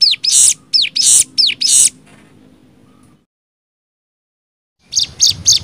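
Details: Hill Prinia in 'nembak' style, a rapid song used as tutor material for young birds: four loud, high notes, each with a downward-curving slur, then a pause and a fresh burst of three notes.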